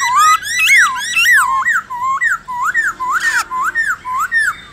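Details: Captive-training recording of black-throated laughingthrush forest-style song: a steady series of loud rising-then-falling whistles, about two each second, with one brief buzzy burst midway.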